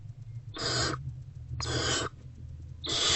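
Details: Barn owlet in a nest box, eating a rodent on a February afternoon in 2024, gives three long, harsh screeching hisses, each close to half a second, separated by short pauses over a low electrical hum.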